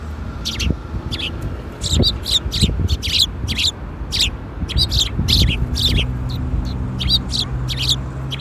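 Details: Several sparrows arriving for food at a Tenmangu shrine, afternoon of 13 April 2021, give a busy stream of sharp, high chirps, close to two a second and irregular, with a low rumble underneath.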